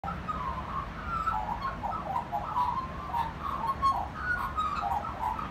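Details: Magpie singing at a family home, a steady run of warbled, fluting notes around mid pitch, overlapping and continuous, with a low background rumble.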